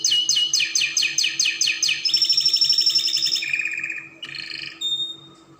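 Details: Spanish Timbrado canary, played to teach young canaries, opening with evenly repeated descending notes about twice a second, then buzzy rapid trills dropping in pitch and a few clear whistled notes near the end.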